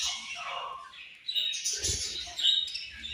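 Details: Australian budgie parrots giving steady high, grating chirps and warbling chatter, with a lower squawky note early on and busy overlapping calls throughout.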